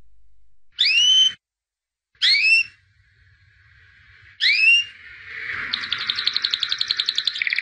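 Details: White albino canary, called a 2017 champion, giving three separate upslurred whistles about 1.5 seconds apart, then a softer rising hum that breaks into a fast, bright trill.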